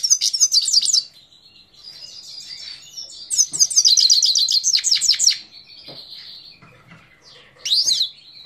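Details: Himalayan goldfinch song recorded at Parachinar, Pakistan, in 2022: repeated bursts of fast, high-pitched, tinkling twitters and buzzy trills, separated by thin sustained whistles, with one last sharp, rising chirped phrase near the end.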